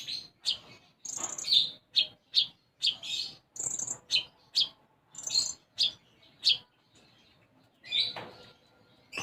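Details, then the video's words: Olive-backed sunbird (konin) in full song, its repertoire filled with house sparrow-style phrases, used as a training recording: a rapid series of sharp, high chirps and trills, several per second, with brief pauses between bursts. "Konin Gacor Isian Gereja"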